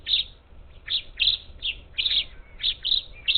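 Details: Up to ten parakeets at a bird feeder on the outskirts of Houston, Texas, 27 July 2021, giving short, harsh, high chirps in quick uneven bursts, about two or three a second, overlapping, with a faint low hum.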